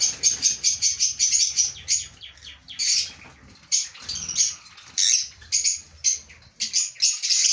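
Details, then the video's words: Lovebird breeding pair indoors giving rapid, repeated high chirps in quick runs, then scattered squeaky notes and harsh buzzy bursts, with some faint wing flapping. "Breeder Lovebirds❤"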